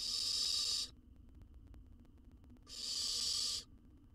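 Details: Baby owl in a wild research nest box gulping a jird whole; two loud, breathy rasping hisses about a second long, separated by nearly two seconds of low background rumble.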